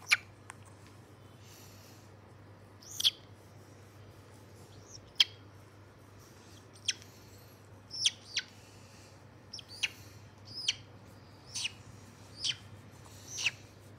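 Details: White-bellied caique on 27 August 2022: a long series of shrill, clipped squeaks and chirps, spaced irregularly roughly every second, with a constant low background hum.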